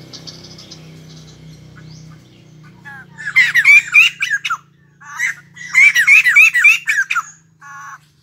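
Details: Wild-caught white-crested laughingthrush kept caged, silent at first over a low hum, then two loud bursts of raucous laughing with rising whistled notes repeated about three per second.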